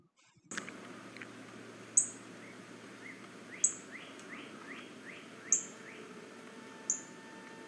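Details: Northern Cardinal giving its simple call: four sharp, high, metallic chips spaced about one and a half seconds apart, over a steady hiss with faint rising whistles behind.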